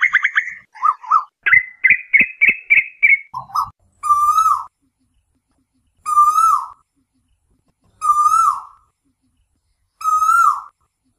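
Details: Asian koel night lure audio begins with quick excited notes, then long even whistles repeated about every two seconds.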